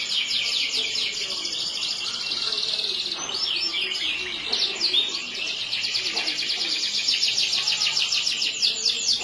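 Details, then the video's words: Yellow canary delivering continuous high rolling trills, briefly broken by quick swooping notes midway, then resuming with fast buzzy repeated phrases to the end. "burung kenari yellow"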